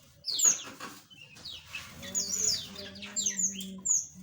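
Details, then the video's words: A group of small caged birds giving bright, high, piercing chirps and falling tweets in uneven bursts, with a steady low hum in the background. "Relaksasi Suara Burung Asli - Jenis Burung Aviary Kecil"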